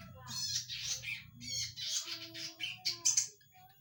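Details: Zitting cisticola, described as having a loud voice, in a lure recording: harsh, buzzy, squawking notes in rapid varied bursts, with a steady low hum underneath.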